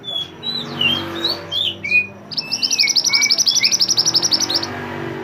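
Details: An Oriental magpie-robin in energetic song, used as a master song for training songbirds, gives varied clear whistles and slurred notes, then a fast, even trill of about twenty high chips, over a faint low hum.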